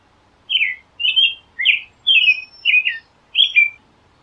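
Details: American robin singing a clear, caroling song of six short whistled phrases, each warbled and slightly falling, spaced about half a second apart, in a quiet setting with no other sounds.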